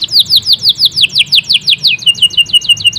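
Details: Persistently singing local canary delivering a rhythmic series of loud down-slurred whistled notes, about five per second, switching after two seconds to a quicker, lower, repeated chip phrase.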